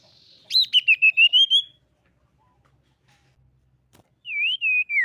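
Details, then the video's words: Common iora song used as a lure to draw other birds into singing: a burst of quick, clear whistled notes wavering high, a pause, then a short descending whistled phrase. "SIRTU GACOR MEMANCING LAWAN BUNYI 100% BIKIN SIRTU MANAPUN IKUT BUNYI"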